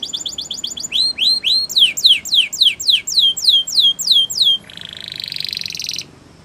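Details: Gloster canary singing for training: quick high trill notes leading into about a dozen loud, rising, sweeping whistles, then a harsh buzzy rattle lasting over a second before going quiet.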